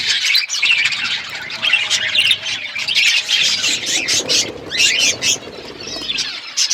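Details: Parrot eating on February 25, 2024: harsh squawks mixed with fast, high chirps in a steady noisy chorus, a brief dip around the middle.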